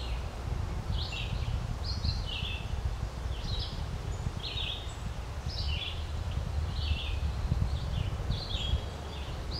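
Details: Green-winged teal in a loose chattering flock at Spooner Island, Hampton, New Brunswick, giving short, high whistled peeps several every second over a steady low rumble of wind; finding: Eurasian teal.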